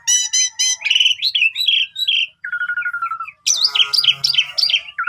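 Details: Asian pied starling singing energetically with a full, rich repertoire, used to lure other starlings: rapid harmonic chatter, slurred whistles, a steady buzzy descending trill, then a burst of loud looping whistled phrases ending in a low whistle.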